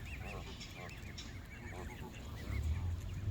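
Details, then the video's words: Several Canada geese by the water, repeated nasal honks with arched, harmonic-rich notes, overlapping in quick succession, over a steady low rumble of background noise. "Canada Geese"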